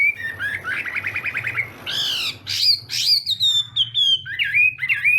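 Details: Morning practice song of a Chinese hwamei: a fast trilled rattle of notes, then harsh buzzy bursts, followed by clear descending whistles and quick up-slurred notes, over a faint low hum.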